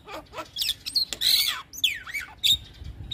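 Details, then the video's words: Javan myna in full song to lure other mynas: varied shrill whistles, sweeping slides up and down, harsh noisy bursts and sharp clicks in fast succession, with little background noise. "Jalak kebo Gacor Full isian Bikin Jalak Kebo Pikatan cepat Respon"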